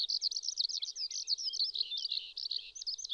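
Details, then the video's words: Eurasian skylark (Alauda arvensis) singing in May on a riverbed in the Shinetsu region of Japan, pouring out an unbroken stream of rapid, high, trilling and chirping notes without pause. "ヒバリ 鳴き声"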